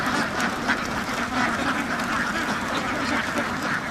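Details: Many farm ducks quacking together, rapid overlapping calls, several per second, making a continuous harsh chatter.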